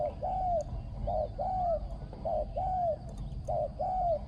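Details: Thai spotted dove with a small, ringing voice and very good coo: a short coo and then a longer falling one, the pair repeated about every second in a steady rhythm, with a few faint clicks in the background.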